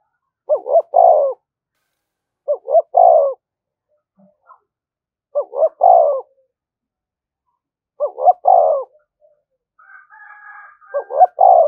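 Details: Decoy spotted dove cooing nonstop to provoke fighting: five repeated phrases roughly every two to three seconds, each two quick notes then a longer coo, with a faint higher whistle between the last two.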